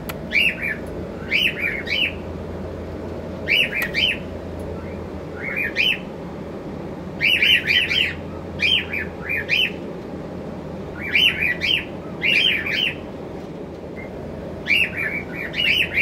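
A cockatiel gives short, bright chirps in quick clusters over a low steady hum.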